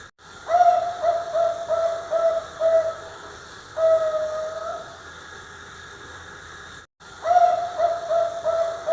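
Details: Young zebra dove about 3.5 months old, a contest prospect, cooing in soft, hollow, repeated notes. A run of quick notes leads into a long drawn-out coo, then the phrase starts again.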